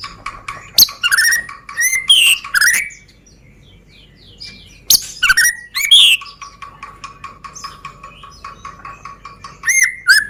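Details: Medan-type White-rumped shama, long black tail, lure song for provoking other birds to sing: loud rich whistled phrases with rapid sweeping notes, a pause of soft twitters, then more bursts of varied song.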